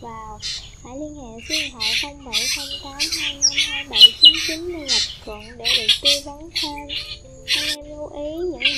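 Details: Black drongo lure call for trapping migrating birds with nets and glue in the 2023 season: harsh squawks mixed with bent, whistled harmonic notes and buzzy bursts, delivered in a rapid, irregular, chattering string.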